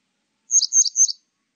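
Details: Grey wagtail recorded in 2020 for a national biological resources collection, giving three sharp, high-pitched chirped notes in quick succession, each with a metallic, slightly doubled quality, in a silent background.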